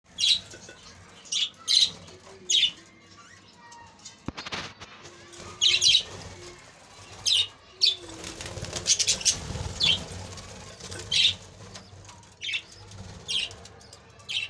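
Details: Pet budgerigars in a big cage give sharp, scratchy chirps in short bursts every second or so, with soft chatter beneath.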